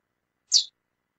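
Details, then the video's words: A female lesser seed finch calling: one brief, bright, high chip that dips slightly in pitch, alone in otherwise silent surroundings. "Fêmea de Curió Piando e Chamando Muito"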